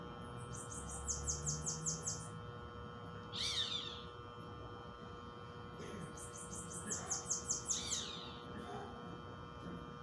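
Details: Bananaquit song outdoors in nature, two bursts of quick, high, wheezy down-slurred notes strung in rapid rows, separated by a lower chattering call and a pause; a constant low hum runs beneath.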